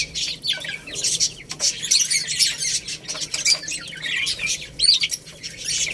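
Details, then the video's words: Young chickens at a rice meal give loud, overlapping, thin peeps that fall in pitch, in rapid bursts, mixed with sharp pecking clicks. "Beautiful Little Chicks Chirping Sounds"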